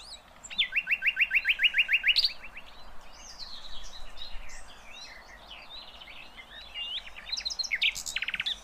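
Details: Rough 'tembakan kasar' song of a sikatan londo flycatcher, used for tutoring caged songbirds: a steady rapid rattle of bright notes for nearly two seconds, then a jumble of twisting whistles and squeaks, closing with sharp high bursts.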